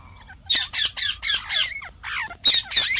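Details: Rapid, grating screeches from a green parrot, about four harsh calls per second in a dense rolling series, with one brief pause midway.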